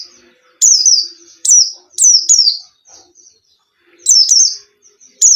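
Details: Caged-bird lure song of a white-eye (pleci): bright, high whistled notes falling in pitch, given singly and in pairs with pauses, soft low background murmur.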